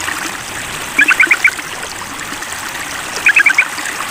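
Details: Sooty-headed bulbul calling out to a rival: two short bursts of quick, bubbly, chattering notes, each about half a second long and roughly two seconds apart, over steady running water.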